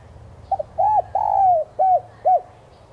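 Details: Spotted dove lure coo meant to spur captive birds to sing: two brief notes open the phrase, then a hollow coo, one long gently falling coo and two final arched coos, faint low rumble underneath.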